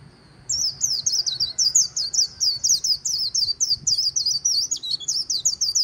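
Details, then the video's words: White-eye performing 'líu' song near the Kỳ Cùng River: after a brief pause, a long string of thin, high, slurred notes pours out in quick succession, evenly spaced and lively, over faint low noise. "VÀNH KHUYÊN HÓT LÍU/ 10 PHÚT CHIM VÀNH KHUYÊN LÍU BÊN BỜ SÔNG KỲ CÙNG RẤT HAY"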